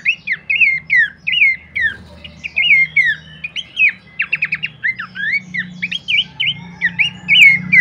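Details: Horsfield's babbler song used as a lure and master recording for training birds: rapid series of whistled downslurred notes, some hooked, interspersed with brief buzzy trill bursts, with a low hum underneath.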